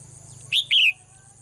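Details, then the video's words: One quick double chirp from a caged female bird that sings every morning: a brief bright note, then a longer falling slur, set against a low hum and a steady high whine. "เสียงนกร้องเจี๊ยก ๆ ไพเราะมาก"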